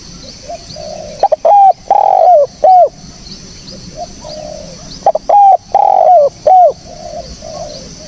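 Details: Spotted dove lure call: two repeated cooing phrases about four seconds apart. Each opens with short taps, then a short coo, a longer falling coo and a final note. Quieter doves coo softly in the background.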